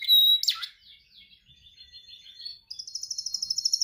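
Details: Canary in song training: a clear held whistle and a sharp downward swoop, a soft quiet stretch of faint warbling, then a rapid high rattling trill to the end.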